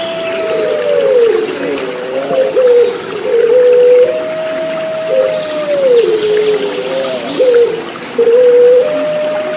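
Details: Water therapy track with Puter Pelung turtle dove song for caged birds that no longer sing: long level hoots broken by short wavering dips, several birds overlapping, water murmuring throughout.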